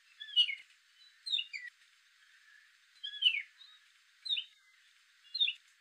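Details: Male gray catbird singing: short squeaky, slurred phrases in separate bursts about once a second, each a jumble of falling and rising notes. No other sounds stand out.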